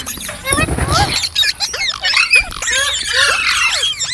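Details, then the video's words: Green parrot chirping: a brief low rumbling sound at the start, then a busy stream of quick squeaky upward and downward chirps layered together. "Green Parrot Chirping Sounds /Voice"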